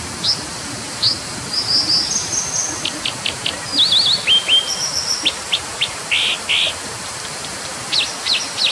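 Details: Brown dipper giving a lively run of high, sharp notes: short clicks, thin whistled slides and a quick zigzag trill, with two fuller buzzy notes near the end, over a constant rushing hiss.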